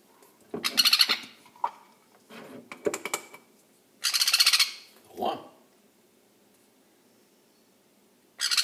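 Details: Young sun conure giving harsh, raspy broadband squawks of about half a second, two loud bursts separated by softer short calls and a few seconds of quiet, with faint lower murmuring between them.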